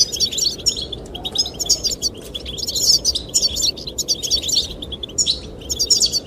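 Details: Goldfinch song, sung to attract the female: dense clusters of sharp, liquid, high chirps in repeated bursts about every second, set against constant wind noise.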